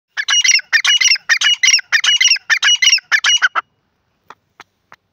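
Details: Grey francolin (gora teetar) calling: a loud, harsh, rhythmic series of six grating bursts, each with a few notes, about twice a second over three and a half seconds. A few faint clicks follow.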